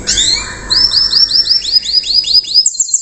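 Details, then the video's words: Young canary singing in the rough 'riwikan' style, used to train other canaries to copy it: a run of quick upslurred high whistles repeated several times a second, ending in a higher trill. "KENARI RIWIKAN KASAR // BURUNG BAHAN MULAI KELUAR KICAU AMPUH NYA"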